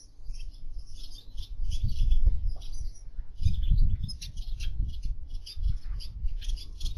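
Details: Aviary Gouldian finch song: faint, high-pitched buzzy twitters repeated in short clusters, over louder low thumps and rustling handling noise.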